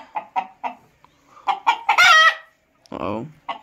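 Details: Rooster crowing: a series of short, evenly spaced clucking notes leads into a loud, drawn-out harmonic crow note, then a second lower, rough, sustained call and further short notes.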